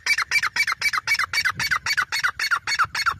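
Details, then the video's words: Grey francolin giving a fast, steady series of harsh, scratchy notes, about four each second, with no other sounds. "GREY FRANCOLIN VOICE"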